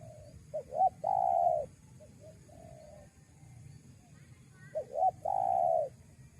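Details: Lure call of a spotted dove for catching wild doves: quick paired hooked notes lead into a loud sustained coo, soft trailing notes, then the same phrase repeats, with low background hum.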